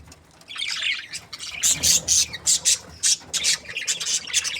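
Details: Happy breeding pair of budgerigars: a soft twittering start, then loud, sharp squawky chirps in short bursts, about two a second, over light background chatter.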